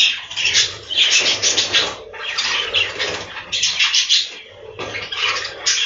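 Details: Many budgerigars in a breeding room chatter in busy bursts of scratchy, high chirping and warbling, rising and falling in loudness every second or so, with a low background hum.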